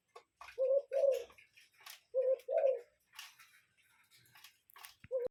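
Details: Cuckoo calling from a real wild bird in nature: low, hollow two-note cuc-koo phrases, given twice in quick succession and then again about a second later, with a third starting at the end, over faint scattered clicks and rustles.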